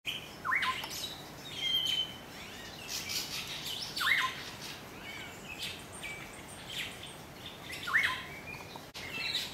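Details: White-crowned robin-chat (Cossypha albicapillus) recorded in Gambia in 2008, giving a short, rising whistled call about every four seconds over a busy chorus of high chirps and twitters from other birds.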